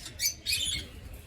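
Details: A couple of yellow African lovebirds give two shrill, high chirps in quick succession, the second a longer, harsher squawk, over faint background hiss.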